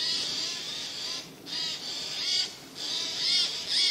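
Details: Several Eurasian jays hidden in spruce trees on 13 September 2024 give harsh, rasping screeches, four broad noisy bursts in quick succession with short gaps between them.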